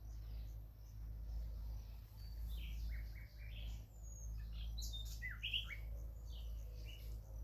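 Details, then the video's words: A nightingale sings scattered short phrases of sliding whistles and chirpy notes with brief gaps, quieter than a steady low droning hum beneath. "the most peaceful nightingale sound in the world#el sonido de ruiseñor más pacífico del mundo"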